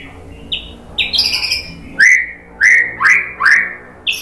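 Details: White-rumped shama song to provoke singing: short high whistles and a buzzy trill, then four loud rising-and-falling whistled notes spaced about half a second apart.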